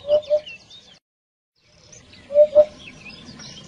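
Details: Flock-gathering call of a Eurasian hoopoe: two brief pairs of mellow, low hoots separated by a short silent break, with light high twittering of other birds in the background.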